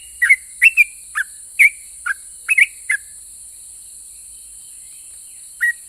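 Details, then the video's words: Yellow-vented bulbul singing actively in ropel pajang style to provoke rival bulbuls into answering: a burst of eight liquid chirping whistles in three seconds, a long pause, then one final note, over steady background hiss. "KICAU SUARA trucukan gacor Ropel pajang ini RAJANYA BIKIN NYAUT trucuk lain"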